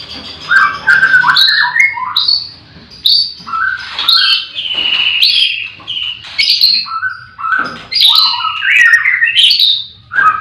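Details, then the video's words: Varied morning song of a white-rumped shama at a livestock pen where many birds call: short whistled phrases jump between high and mid pitches, separated by brief gaps, over a low background hum. "Pancingan murai batu di kandang ternak ll chirping magpie"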